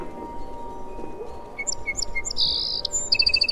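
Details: Song sparrow song over soft background noise: three spaced opening notes, a drawn-out buzzy note, then a quick string of repeated high notes.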